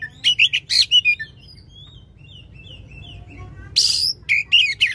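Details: Oriental magpie-robin singing loudly with long 'shot' phrases, meant to stimulate a magpie-robin that has stopped singing: rapid bursts of sharp, high chirps and trills, then a quiet stretch of faint thin whistles before another loud harsh burst.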